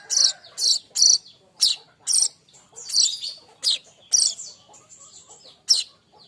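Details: Streaked weaver, a young bird singing hard for songbird training, gives loud rasping high chatter notes in quick irregular bursts, some slurred downward, with softer ticking between them.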